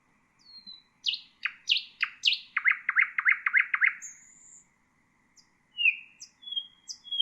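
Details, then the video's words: Common nightingale song, recorded for tutoring bulbuls and other songbirds: a thin whistle, then loud descending chirps, then a rapid stuttering run of about eight notes, followed by high pure whistles and a low steady hum. "تغريد طائر العندليب"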